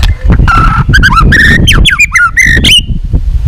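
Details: White-rumped shama song used to stir rival shamas into singing; dense run of varied whistled notes, slurred up and down, with harsh buzzy bursts and low rumbling background noise throughout.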